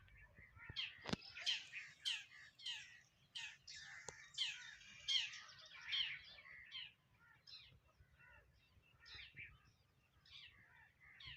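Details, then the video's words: Home sparrows chirping as they eat: short, sharp chirps repeated in uneven runs, loud at first, then softer and more spaced out, with a few clicks and light background hum. "eating Sparrow Chirping Sound | Sparrow Birds Eating Food Chirping"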